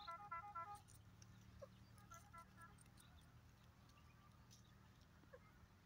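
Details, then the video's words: A pair of dakhni teetar (francolins) calling: a quick run of three or four nasal, harmonic-rich notes in the first second, echoed by a shorter burst near two seconds, then fainter notes over a steady low hum and background noise. "teetar ki boli dakhni teetar pair voice"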